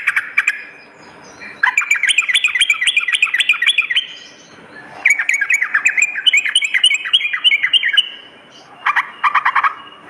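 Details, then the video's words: Sooty-headed bulbul at night, for fighter-spirit training: long rapid bursts of rattling, bubbly notes with crisp high clicks, separated by short quiet gaps, four bursts in all. "terapi trucukan dimalam hari_ampuh mendongkrak mental fighter burung trucuk"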